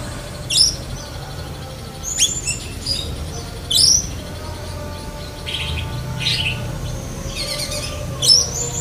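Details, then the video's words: Black-breasted Oriental magpie-robin singing a song mimicking a lovebird: sharp, high, squeaky chirps given singly at irregular intervals, about six across the stretch, over a steady low background hum. "Kacer DAHIT besetan kapas tembak sambung lovebird"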